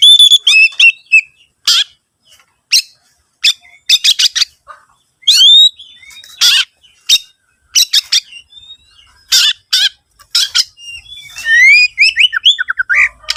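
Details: Lively Oriental magpie-robin song used as a lure for other birds: quick sweet whistles and upslurred notes mixed with short scratchy, rasping bursts. Phrases come in rapid, irregular runs with brief pauses between them.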